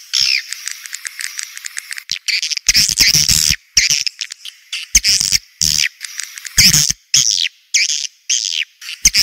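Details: Edible-nest swiftlet lure sound called "Joker", played to draw birds into a swiftlet house: dense bursts of high, buzzy twittering chirps lasting about a second each, separated by short silences, with faint clicking between bursts.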